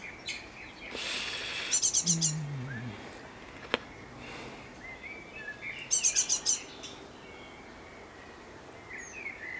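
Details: In a garden on 11 May 2014, a great tit sings two quick bursts of about five high, ringing, evenly spaced notes, a few seconds apart, over a steady outdoor hiss.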